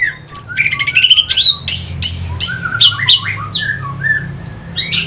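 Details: Orange-headed thrush (Geokichla citrina) gives a loud, varied song of quick whistled and squawky phrases rising and falling between high notes, nearly three per second, over a low hum. The song is played as a lure to rouse competition birds.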